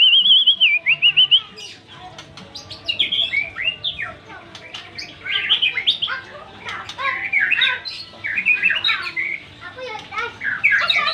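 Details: White-rumped shama singing a rich, varied song: an opening run of warbled whistles, then dense bursts of rapid whistled, trilled and chattering notes, several per second, with short pauses between bursts.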